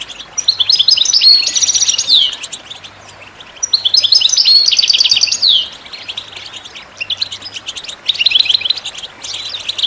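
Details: Goldfinch song, used to stimulate other birds to sing. It has bright tinkling phrases of rapid rising-and-falling trills about two seconds long, repeated three times with pauses between and scattered soft chirps, over faint hum.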